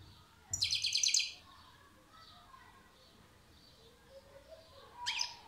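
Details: European goldfinch song, in the styles called huylandırma, velisvelis, kabaşakşak and çipetpet: a buzzy, rapidly pulsed high trill lasting under a second, a few soft notes, then another short bright burst, over steady background hiss.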